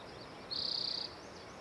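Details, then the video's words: Single spotted towhee song phrase: a bright, rapidly pulsed buzz about half a second long, high and even, with light ambient hiss. "Spotted Towhee Singing A Song"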